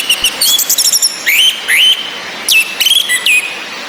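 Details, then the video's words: Orange-headed thrush sounds played to heighten male breeding drive: bright rising whistles and slurred notes, some dropping sharply, interleaved with quick chirps, recurring roughly every half second over a faint rain-like hiss. "ANIS MERAH BETINA NGECIS‼️ COCOK UNTUK NAIKAN BIRAHI BURUNG YANG MENTOK DI NGRIWIK SAJA"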